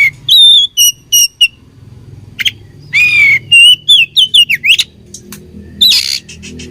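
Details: Fighting oriental magpie-robin singing a rich, varied phrase: clear whistled notes, harsh buzzy bursts and quick rising and falling slurs, delivered rapidly and irregularly, with a low background hum.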